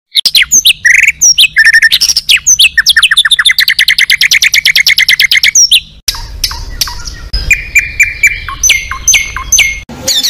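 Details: Oriental magpie-robin, a competition bird at a contest, singing its isian fill-in phrases: a rapid run of repeated sharp chirps, then varied whistled and buzzy notes.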